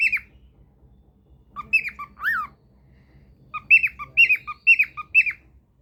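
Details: A silver cockatiel sings a series of bright, chirpy whistled notes with quick upward and downward slurs.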